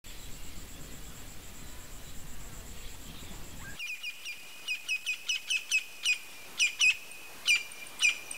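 A Campo Flicker gives a series of about a dozen sharp, high, clipped notes, roughly two to three per second, after a few seconds of rough background noise.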